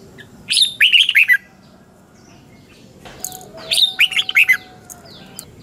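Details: Morning song of a red-whiskered bulbul kept for voice training, two lively phrases of high rising notes followed by rolling warbled syllables, separated by a quiet pause with faint other chirps.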